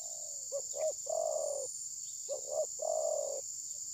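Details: Spotted dove decoy during trapping, reluctant to strike, phone-recorded: a faint sliding note, then two phrases each of two quick hoots and a long purring coo, with constant insect buzz in the background.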